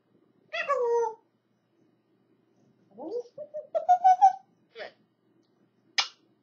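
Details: Pet African grey parrot learning to talk: a few short speech-like syllables, then a run of rising squeaky notes and clipped chirps, ending with a brief sharp whistle, in a quiet room.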